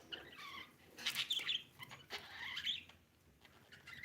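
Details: Pet budgerigar chirping indoors: bright warbled chirps and short harmonic whistles with some grating notes, in bursts around the first and third seconds, then quieter chatter, with faint clicks and rustling.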